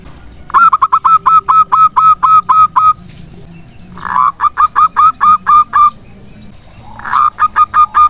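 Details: Local zebra dove singing to draw in other doves: three bursts of rapid staccato coos, each beginning with a harsher note and running about eight to ten notes before a pause.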